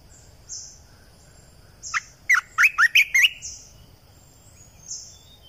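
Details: Red-eyed bulbul lure song, a 2020 recording: a quick burst of six bubbly, warbling notes at mid pitch lasting about a second, with thin high whistled notes from another bird repeating in the background.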